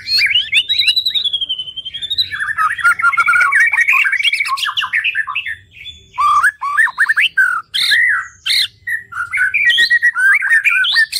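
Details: White-rumped shama (murai batu) singing as a tutor recording for training songbirds: a loud, fast, varied run of whistled and chattering phrases, some swooping, others short and clipped, with brief pauses between bursts.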